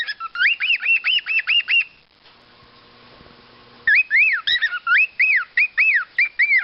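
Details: Rare-mutation cockatiels (Nymphicus hollandicus), including emerald and dominant silver birds, at a breeding farm give rapid, repeated whistled calls that rise and fall, with a brief quieter pause midway.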